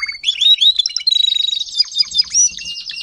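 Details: Timbrado canary, adult tutor singer for young canaries: rising whistled notes leading into a fast, rolling trill at steady high pitch.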